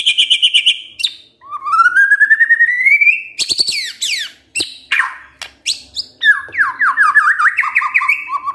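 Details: White-rumped shama singing kretekan style, said to stir up emotion: a buzzy trill, a long rising whistle, harsh chattering bursts, then quick looping whistled phrases.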